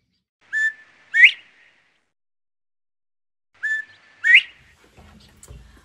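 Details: Northern Bobwhite (Colinus virginianus), a resident species, gives its clear whistled 'bob-WHITE', a short level note then a loud upslurred one, twice about three seconds apart, with a faint low rumble at the end.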